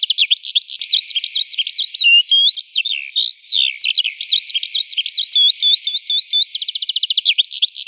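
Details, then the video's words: Eurasian skylark singing in the morning: a continuous, fast stream of high warbled and trilled notes with rapid rising and falling slurs, short buzzy rattles and a quick repeated trill near the end, no other sounds. "Жайворонок Голос Ранку"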